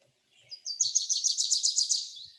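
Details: Wilson's Warbler spring song: a rapid, insistent, percussive chatter of high staccato notes that accelerates slightly toward the end, likely recorded in the Sierra with Common Nighthawk and Mountain Quail possibly in the background.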